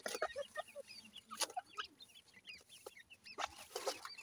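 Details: Black francolin chicks in a house, fighting: soft, thin rising and falling peeps scattered over faint background hiss, with a few sharp clicks.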